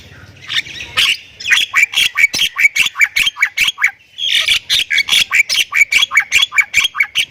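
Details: Gacor Thailand Javan myna in full-isian song: a long run of sharp, clipped chirps fired about twice a second, broken by one brief pause, mixed with raspy buzzing notes.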